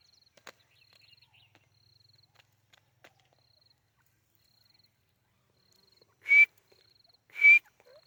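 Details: White teetar partridge calling: two sharp, strong whistled notes about a second apart near the end, slightly rising, after quiet ticks and a faint repeated high buzzy pulsing.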